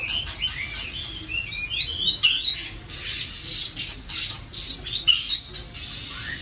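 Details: Melodious song of a captive White-rumped shama kept at a home in Vietnam: a run of short rising whistles early on, then scattered sharp clicks and a few high squeaky notes over a low background hum.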